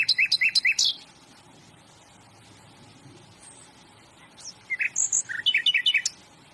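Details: Flycatcher called sikatan londo singing. A fast burst of about six chirps is followed by a quiet pause with faint thin notes, then another tumbling series of sharp chirps.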